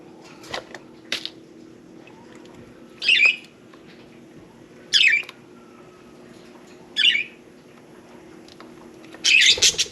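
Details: Pet budgerigar indoors giving short scratchy chirps spaced about two seconds apart, with faint clicks and a steady low hum behind.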